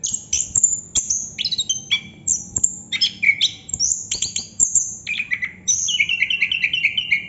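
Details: Chestnut-capped thrush singing in the non-stop 'ngerol' rolling style: rapid varied phrases of thin high notes alternating with lower warbled whistles, ending in a run of quick repeated chattering notes.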